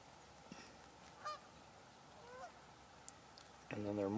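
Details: Canada geese at a wetland with mallards and wigeons on 30 October 2021, some vocalizing: a few brief nasal honks ending in a louder harmonic honk, while a man talks faintly in the background.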